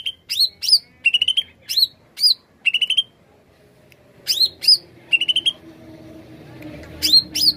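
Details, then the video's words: Greater green leafbird in full song, used as a bird lure, giving upward-sliding whistles and short ringing trills in quick phrases, then a pause of about a second before the phrases resume. A low rumble runs beneath. "Kicau Cucak ijo gacor paling ampuh pikat bunyi burung bahan"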